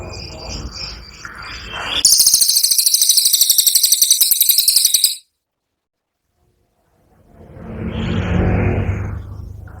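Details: Cililin training song: a fast, harsh chattering burst of evenly repeated high notes lasting about three seconds, then a silence, then a low rushing noise that swells and fades.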